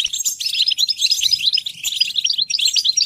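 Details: Short burst of European goldfinch song, rapid bright twittering notes tumbling one after another.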